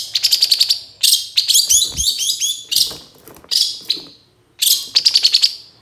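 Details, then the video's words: Long-tailed shrike singing as a lure to get reluctant shrikes to answer. Quick rattling runs of clipped ticks alternate with rough, scratchy phrases and a short gap before a final rapid rattle. "PANCINGAN CENDET SUSAH BUNYI LANGSUNG NYAUT DAN IKUT GACOR DENGAR SUARA CENDET INI"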